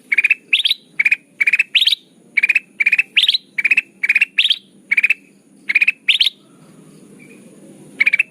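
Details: Bulbul lure sound for bird trapping, with an even series of quick chattering bursts roughly twice a second, some rising higher at the end, pausing for over a second before a final burst.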